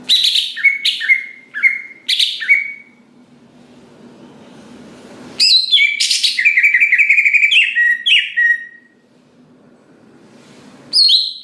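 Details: Greater green leafbird song meant to prompt other leafbirds to sing: clustered sharp high notes dropping into repeated short whistles, a pause with low background hum, then a long rapid run of rich warbled and chirped phrases.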